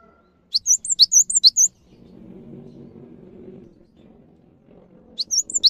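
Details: Cinereous tit (gelatik batu) in energetic gacor song, used as a master recording to coax reluctant or stressed caged birds into singing: a burst of about seven high, sharp, rapidly repeated notes, a pause with low background murmur, then another burst.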